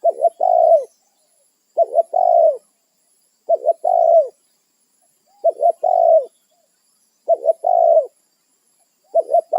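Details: Spotted dove calling to companions in the wild, territorial: a steady run of six cooing phrases roughly every 1.8 seconds, each two brief hooked coos and one longer, gently falling coo.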